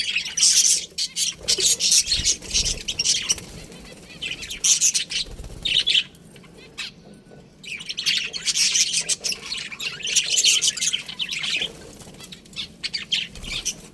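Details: Colony of budgerigars chirping together: dense, overlapping high twittering and chatter that swells and fades in waves, with brief quieter gaps and some low background rumble.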